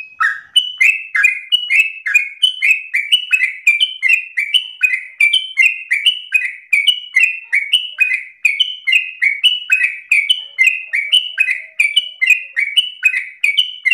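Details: Long, nonstop yellow-vented bulbul song in ropel style, an energetic, rhythmic chatter of rapid slurred notes repeated several times a second for fourteen seconds.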